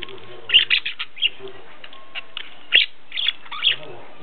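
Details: Captive zebra finches in Ulaanbaatar, Mongolia, kept as pets, uttering bright, clipped chirps and nasal beeps in small clusters, with a sharp click near the middle and quiet household background.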